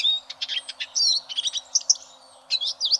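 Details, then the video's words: A Eurasian siskin, recorded as a master song for training competition canaries, sings a fast, high twittering song of chirps and short trills, with wheezy, slurred notes in two quick bursts. "Suara Burung Eurasian Siskin"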